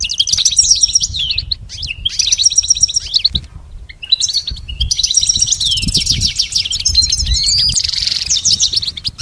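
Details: Goldfinch in full song for a pet goldfinch's singing lessons: almost unbroken rapid, high twittering with rattling trills and a buzzy wheezy passage near the end, over low background rumble.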